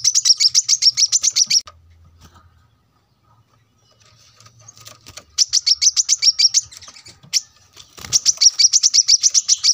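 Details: Brown-throated sunbird singing energetically for a cage-bird training recording: three bursts of rapid, dry, clicking trills, each lasting about one to two seconds, separated by near silence with faint low hum.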